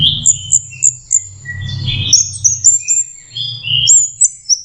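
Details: Juvenile orange-headed thrush learning to sing, giving soft scratchy warbles and thin high whistles, broken by short sharp ticks, with a low hum in the background.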